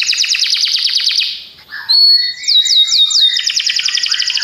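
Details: Song of Belgian canaries: a dense, very fast buzzing trill that fades out, then a sharp whistled note leading into a new run of rolling, repeated sweeping notes.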